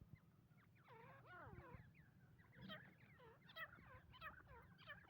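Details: Female grey francolin (dakhni teeter) calling: a run of loud, wavering, harmonic notes that sweep up and down, rising in pitch and packed closer together toward the end, over steady low rumbling background noise.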